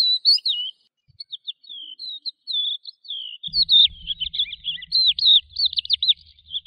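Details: Lark song: a run of high, quick warbled and slurred whistles, sparse at first and then denser and more continuous, with a low rumbling hum entering partway through.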